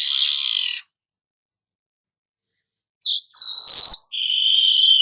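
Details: Song of a golden-headed weaver, offered as tutoring material for songbirds: a buzzy note, a long pause, then quick chips, a sizzling rasp and a sustained high whistle.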